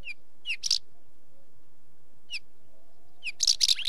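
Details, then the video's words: Short sharp downslurred chip notes from a wheatear, repeated a few times, each followed or joined by brief harsh rattling bursts, over a faint low background hiss. "Wheatear Bird call - Bird Song"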